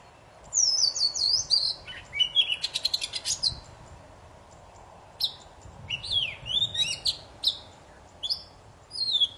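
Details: Poci singing enthusiastically to spur silent birds into song: descending whistled phrases, a fast buzzing rattle, a quiet gap, then a string of sweeping chirps and whistles.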